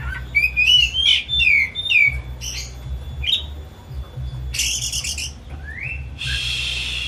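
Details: Home-kept caged white-rumped shama song meant to trigger another shama into singing: quick whistled flourishes at the start, then scattered notes and two loud rasping bursts, with a constant low hum.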